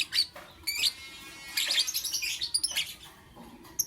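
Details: Lovebird in the morning chirping in dense shrill bursts, harsh buzzy notes running together with rapid squeaky twitters, nearly continuous over a few seconds.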